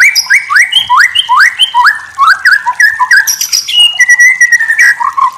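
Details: White-rumped shama tutor song: a brisk run of upward-swept whistled notes repeated several times a second, mixed with chirps and higher twitters, ending in a held whistle followed by short slurred phrases.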